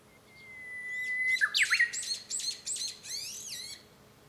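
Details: Japanese bush warbler heard from a home room, 5 May 2013: a clear whistle jumps into a loud flourish, then a fast run of repeated falling, slurred notes, about five in quick succession.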